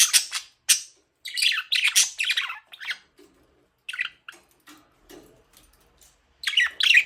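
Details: Budgie producing loud, buzzy chirps and squawks in quick clusters, falling quiet for a few seconds before a final burst of harsh chatter.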